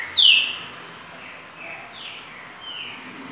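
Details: A green-winged saltator of the "virador" song type gives one loud, clear whistled note that slides downward, followed by a few softer high notes over faint background hiss.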